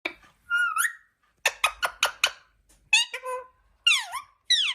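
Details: Pet Indian parrot (mithu) talking, mimicking speech in squeaky, harmonic bursts: a rising whistle, a quick run of four clipped syllables, then swooping screechy phrases in a quiet room.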